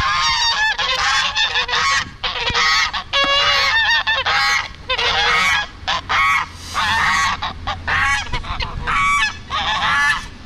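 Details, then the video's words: Wild geese at a pond in Portugal honking in alarm at nearby skateboarders: loud, harsh, nasal honks in rapid overlapping bursts, roughly one a second, with rumbling background noise. "Wild Geese dont like skateboards!!"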